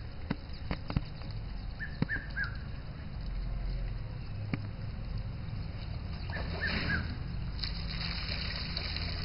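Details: Red-chested cuckoo (Piet-my-vrou) at a waterhole in Pilanesberg Game Reserve, South Africa, with an African elephant present, gives two phrases of three falling whistled notes about four seconds apart over low rumbling, scattered clicks and trickling water.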